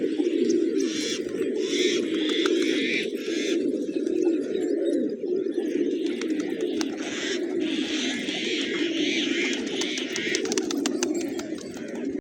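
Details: A flock of village pigeons feeding on fresh grains on a peaceful morning; a dense, continuous low cooing murmur runs throughout, overlaid by bursts of higher chirping and scattered clicks and taps.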